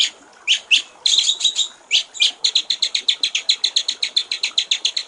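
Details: Clear-voiced white-rumped shama song from a songbird training master with 'gericik air' fills: a few scattered sharp rising notes, then a long, even run of quick, high, ticking notes repeated several times a second.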